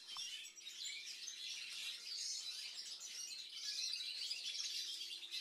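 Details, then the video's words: Captive Siberian goldfinches, recently acquired cock birds just finishing their moult, twitter continuously in a dense, high, tinkling jumble of chirps, with a steady low electrical hum underneath. "Siberian Goldfinches"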